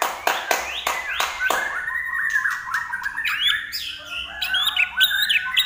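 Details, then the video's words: Common iora with lively song: several sharp loud notes at the start, then a fast twittering warble of mixed high whistles. "larwo Gacor"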